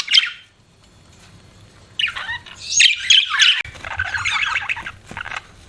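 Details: A budgie gives a short squeaky chirp, then after a pause breaks into loud, scratchy warbling and squawky chatter that continues in uneven bursts.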